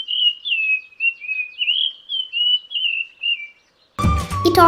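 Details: Dull-blue Flycatcher, a Sri Lankan endemic of hill forest, at Horton Plains National Park: a sweet, high whistled warble of slurred rising and falling notes for about three and a half seconds, followed by music.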